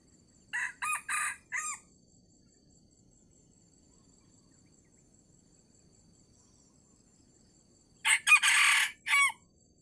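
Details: A wild red junglefowl, lured by decoy in Sumatra late in the fasting month, crows twice about seven seconds apart, each a brisk four-note burst, the second louder and harsher, with quiet gaps between.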